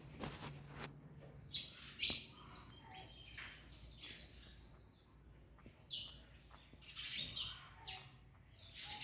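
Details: Parrots eating an orange give short harsh screeches in scattered bursts, with quiet low background rumble between calls.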